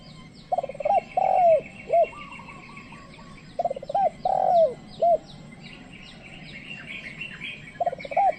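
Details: Decoy spotted dove luring wild doves that do not approach. Repeated phrases of stuttering notes, a long downslurred coo and a short final note, with busy high chirping and trills of other birds behind.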